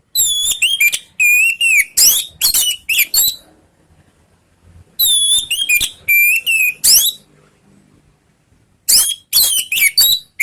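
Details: Orange-headed thrush song, used to provoke other thrushes to answer: bursts of loud, varied whistled phrases with rising and falling slurs and rapid trills, separated by short pauses.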